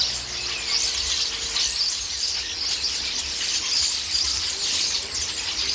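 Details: A flock of common starlings squabbling noisily while raiding a pear tree and pecking at the fruit, a scene repeated several times daily; dense, continuous high chattering and squealing calls from many birds overlap throughout.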